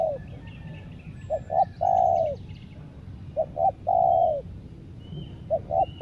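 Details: Spotted dove used as a decoy for luring wild birds, singing a repeated phrase: two quick clipped coos then a long, smooth coo that slides down at the end, about every two seconds; faint high chirps from other birds.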